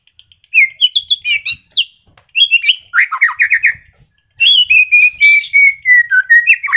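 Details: White-rumped shama, a kept bird just regrowing feathers during moult and still singing melodiously, used as a lure for silent shamas: lively whistled flourishes, rapid chattered bursts, then a long even series of clear repeated notes.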